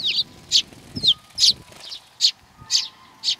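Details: Sparrows arriving to be fed at the Tenmangu shrine in Nakanoshima, June 21 2020, giving quick bright chirps about twice a second, some with a slurred tail, over low background rumble.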